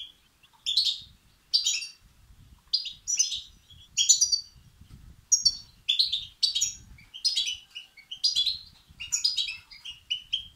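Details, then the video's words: European goldfinch chicks begging, calls used to stimulate and excite males: sharp high chirps and twittering bursts repeated roughly every second, some doubled, in a quiet setting. "بتبتة وستستات فراخ الحسون الأقوى لتحفيز وتهييج الذكور"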